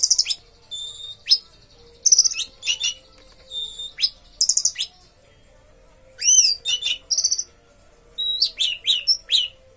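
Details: Orange-headed thrush in captivity singing a long sequence of sharp, high phrases. Clipped notes and rapid trills alternate with rising and falling slurs and short silences.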